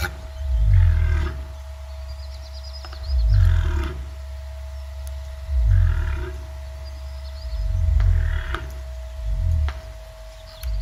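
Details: Deep booming calls of a cassowary, a solitary bird whose low-frequency voice carries through thick forest foliage. Five throbbing low booms repeat about every two and a half seconds, each swelling and fading, with a faint steady hum underneath.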